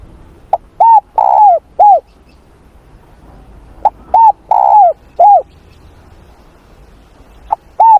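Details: Spotted dove morning voice-training coos: a four-note phrase of clipped note, arched coo, long falling coo and final coo, repeated twice, with the start of a third phrase at the end.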